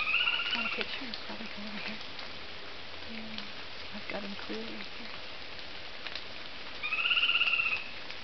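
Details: Chestnut-naped Antpitta (Grallaria nuchalis) in Andean forest at Rio Blanco reserve, Central Andes, Colombia, November 2009, responding to playback: a long, clear, slightly arching whistle, repeated about six seconds later, with soft low murmurs and faint background noise between.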